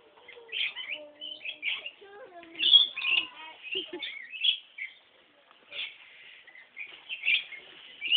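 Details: Parrots at Lake Conjola calling: clusters of sharp, high chirps and squeaky notes in short bursts separated by brief pauses, with some lower warbled, voice-like notes early on.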